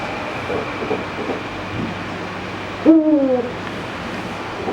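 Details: Captive Eurasian eagle-owl giving a single short hoot, a low double-toned note that slides downward, over a steady background hum.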